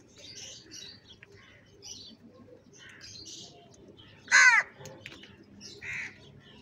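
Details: During feeding time, a crow utters a single loud, raspy caw near the middle. Around it, other birds chirp and twitter quietly.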